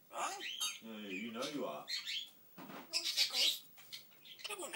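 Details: A talking African grey parrot produces a continuous stream of mimicked speech sounds, with wavering voiced syllables, some high squeaky notes and a hissy burst near the middle.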